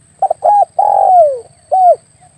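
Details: Spotted dove call played as a hunting lure for air-rifle shooters: a brisk double note, a short hooting coo, then a long mellow coo gliding lower, and a single rounded final coo.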